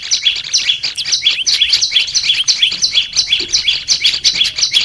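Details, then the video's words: Song of a caged olive-backed tailorbird played for training: steady chain of two-part high chirps, a buzzy upper note followed by a lower one, close to three per second, slightly uneven. "Melatih suara burung prenjak lumut biar gacor"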